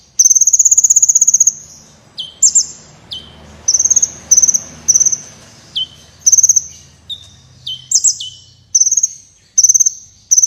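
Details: Sunbird in lively song, used as tutor material for contest birds: short high pulsed trills repeated every second or so, interleaved with steeply falling whistles, over a faint low background hiss.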